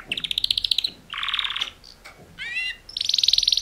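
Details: Two male canaries in mating song, switching between fast rattling trills, a short upslurred whistle, downslurred sweeping notes and a rapid high pulsed roll at the end.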